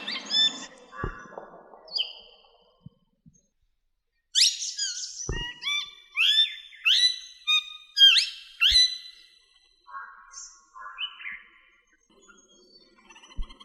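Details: Tamed plum-headed parakeet talking: a few low harmonic notes, then a burst of short clear whistled and rising syllables with sharp upward sweeps, delivered in quick uneven groups, ending in softer broken notes and near-silence.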